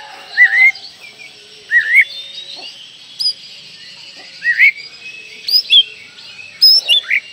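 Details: Oriental magpie-robin singing as a lure for young birds: rising slurred whistles, sharp high notes and quick phrases over a steady high hiss.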